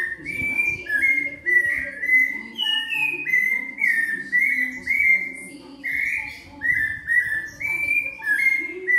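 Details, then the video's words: A rufous-bellied thrush sings a steady run of clear, fluty whistled phrases, each slurred and slightly falling, almost without pause, over a faint low background hum. "VIVIU VOVÔ VOUVÔ VOVÔ E ASSIM Sabia da mata vivi vovó viu"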